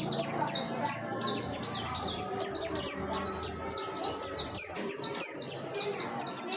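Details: Oriental white-eye singing persistently, a recording meant as a lure: a rapid unbroken stream of high, bright, downward-sliding whistles in pulsing waves, over a faint low background.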